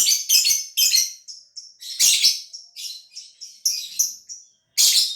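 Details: Caged lovebird from Gresik, East Java, Indonesia, kept for song contests; rapid harsh high chirps and squeaky whistled fragments in a busy, broken chatter with brief gaps.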